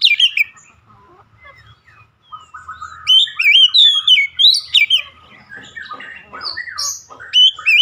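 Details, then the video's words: Oriental magpie-robin (kacer) song, opening with sharp chirps, then a pause with soft low notes before a long, varied stream of loud whistled, rising and falling phrases and scratchy chatter. "KACER SETRES LANGSUNG GACOR"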